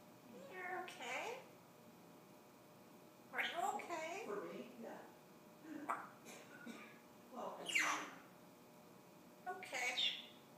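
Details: African grey parrot kept as a pet, imitating the cheer "Rock Chalk Jayhawk": a string of separate speech-like phrases, some harsh and some with bright whistly edges, spaced by pauses of a second or two in a quiet indoor room.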